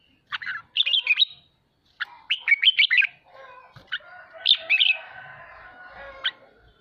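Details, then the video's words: A 'ché'-style song of the Red-whiskered bulbul, meant to excite pet birds into singing: clipped, fast warbling phrases repeated in bursts, with scattered single notes and a faint hum beneath the later phrases. "Chào mào khích ché cực hay /kích chim nhà tập ché /luyện giọng kích bổi cực hay"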